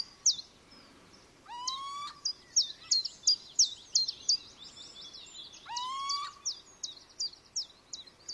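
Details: Little owl (Athene noctua) giving two loud, rising mewing calls with a ringing, harmonic-rich tone, heard amid a busy stream of short, high chirps from other small birds throughout.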